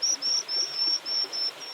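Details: White-throated Dipper chicks in a nest on a remote high stream in the Mongolian Altai in summer beg as a parent approaches with food. About seven thin, high, hissing bursts come in under two seconds over soft rushing water.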